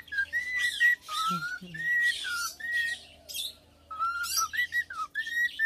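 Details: A pet male cockatiel, three years old and tame, whistles a serenade to its owner: sustained pure tones rising and dipping in short linked phrases, with brief rasping sounds and a quiet gap midway.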